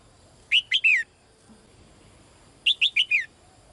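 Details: Calls of a female bird to the male: a three-note whistled phrase of downward slurs, a pause, then a faster four-note version, all high and clear.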